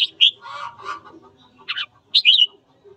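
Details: Red-whiskered bulbul singing in the morning to incite fighting: short whistled notes mixed with lower murmuring sounds and a buzzy note, ending in a clear three-note warbled phrase.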